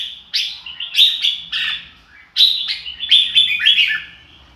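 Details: Red-whiskered bulbul (chào mào) giving lively "ro kích bổi" song: clear whistled and chirped notes in two short phrases separated by a brief pause, with some notes sliding downward.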